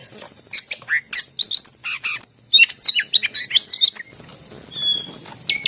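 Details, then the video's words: Energetic greater green leafbird song meant to coax reluctant leafbirds into singing, a dense run of sharp chirps, clipped whistles and rapid up-and-down notes, easing briefly before a final high whistle, over a constant faint high tone. "cucak ijo gacor masteran yang terampuh buat pancingan burung yang lagi susah bunyi"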